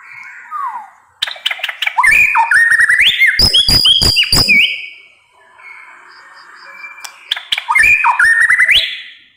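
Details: Murai batu, the white-rumped shama, in fiery 'nembak pedes' song: gliding whistles break into bursts of hard snapping notes and zigzag whistled runs, a quieter warbling interlude, then another loud rush of sharp notes and whistles.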